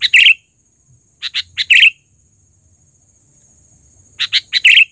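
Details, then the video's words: Trained sooty-headed bulbul calling loudly for luring: an opening bubbly note, then two bursts of three quick chirps each ending in a rolling swooped note, separated by a few seconds' quiet, over a faint high hum. "suara pikat burung KUTILANG GACOR...Terlatih dan panggilan keras!!"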